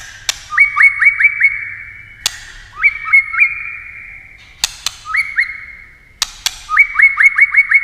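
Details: White-rumped shama in competitive, many-voiced singing: four phrases, each of quick repeated rising whistled notes, every phrase opened by a sharp loud click.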